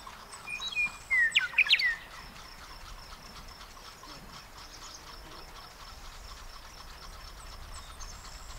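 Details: Western meadowlark giving one brief phrase of whistled, gurgling notes early on, then several seconds of steady outdoor hiss with a thin, constant high insect-like buzz.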